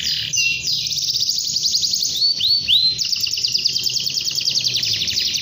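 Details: Canary singing long and vigorously to call a rival: dense rolling trills high in pitch, fast buzzy tours, then a few quick descending swept notes before another rapid rattling trill carries on steadily.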